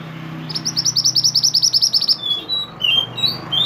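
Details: Mantenan, the pied bushchat, singing strongly as training material for other songbirds: a fast, even string of high chirps for about one and a half seconds, followed by lower slurred whistles.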